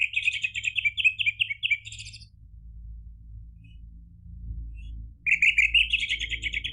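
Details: Orange-headed thrush lure song for stimulating caged birds to answer and sing persistently: a fast, bubbling run of repeated warbled notes for two seconds, a quiet gap, then a second rapid, rich phrase.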